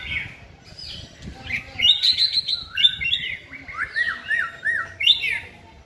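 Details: Caged chòe lửa (white-rumped shama) in song training sings a lively string of sharp whistles and rolling, wavering notes in quick pulses, clear against a quiet background.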